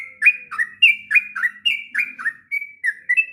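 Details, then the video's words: Sooty-headed bulbul, kept as a tutor bird for young bulbuls, sings a quick string of chirpy, liquid whistled notes, falling and rising, in brisk succession. "kicauan trucuk ngropel panjang...cocok untuk masteran trucukan bahan.."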